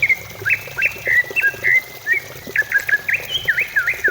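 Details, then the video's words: Greater green leafbird song used as a lure to prompt other birds to sing: a series of short, sharp whistled notes, some slurred downward and others V-shaped, delivered in quick bursts with brief gaps. "Pancingan cucak ijo supaya cepat bunyi"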